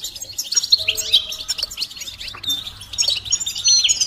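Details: Goldfinch mating and readiness calls, the bitbita and stista types, played to make a silent male sing; fast, tinkling twitters and quick rising chirps run almost without a break.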